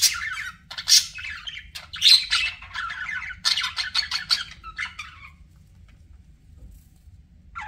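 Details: Pet budgerigars chattering in dense raspy chirps and squawks for about five seconds, then fading to near silence with one last short note; steady low hum in the background.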